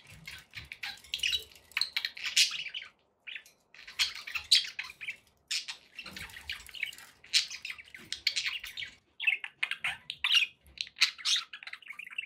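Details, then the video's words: Several pet budgerigars keep up a dense, continuous chatter of scratchy warbles, clicks and high chirps, pausing only briefly a few times. "relaxing budgie sounds"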